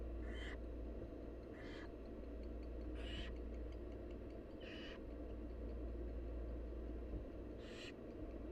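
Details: A barn owl mother feeds her wild nestlings, which answer with five scratchy, screechy hisses at uneven intervals of one to two seconds. Soft ticks and a steady background hum are also heard.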